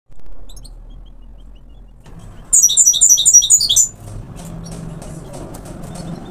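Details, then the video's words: European goldfinch, parva form, sings a loud burst of rapid, high, tinkling twitters lasting over a second. Faint low rumble and hum come before and after it. "حسون parva"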